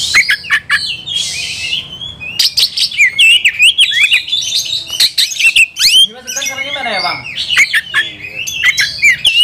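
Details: White-rumped shama in an aggressive mood, seeking a rival, sings varied whistles and rough buzzy notes; a hissing burst early on and a brief descending warble midway.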